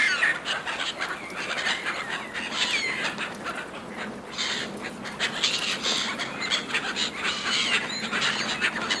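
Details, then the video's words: A noisy flock of seagulls fighting over food handed out by a person, with scattered squealing calls from many birds over a steady wash of background noise. "Seagulls fighting over food, Seagulls calling"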